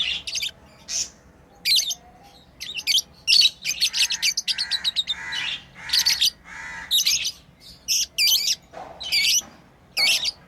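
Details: Pet lovebirds playing, giving many sharp high chirps and harsh squeaky bursts in quick irregular runs, some clustered into rapid trills, with short pauses between outbursts.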